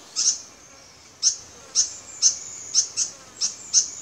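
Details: White-throated fantail at Doi Inthanon, Chiang Mai, Thailand, recorded with a P900 camera, giving sharp, very high squeaky notes, single or paired, repeated about every half second over a low hiss.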